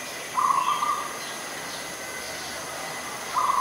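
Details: Adult zebra dove (Geopelia striata) in Ubon Ratchathani, Thailand, 21 September 2022, gives a soft, rolling, bubbling coo of rapid notes lasting under a second, then starts another about three seconds later over a faint steady hiss.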